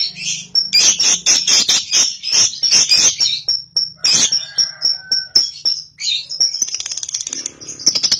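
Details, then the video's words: Cobalt lovebird, a young bird, calling to get another lovebird singing ngekek: bursts of harsh rapid high chatter with sharp clicks, then a fine fast rattle near the end. "PANCINGAN LOVEBIRD PAUD COBALT | AGAR RAJIN NGEKEK"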